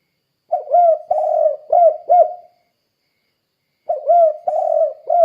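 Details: Spotted dove (tekukur) in full voice, used as lure for other doves: rhythmic coo phrases of short bouncy notes and one prolonged throaty coo, repeated after a pause of about a second and a half.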